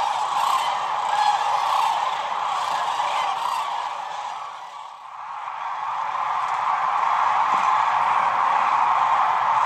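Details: Sandhill cranes by the hundreds of thousands at the peak of their northern migration on the Platte River, heard from a photography blind: a dense, continuous chorus of rattling calls that briefly dips in volume midway, then swells again.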